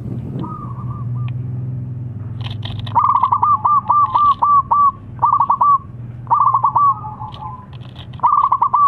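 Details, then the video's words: Local zebra dove in full voice, a rival answering straight away: short rolling coo phrases come in quick succession, clipped pulsed notes ending in a brief sustained tone, after a quiet start with low background hum. "PERKUTUT LOKAL GACOR MEMANGGIL SEKALI DENGAR LAWAN LANGSUNG NYAUT"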